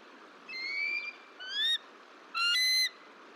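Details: Bald eagle at the Decorah nest in early March 2023 during incubation of two eggs, the female calling for a break before the male takes his shift; three clear whistled notes, rising slightly with bright overtones, the last longest.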